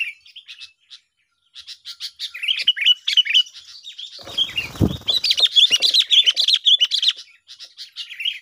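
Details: Sooty-headed bulbul song played to lure birds for trapping, a busy stream of chirps and warbled slurred notes, with a brief low thump midway and the chatter growing denser afterward.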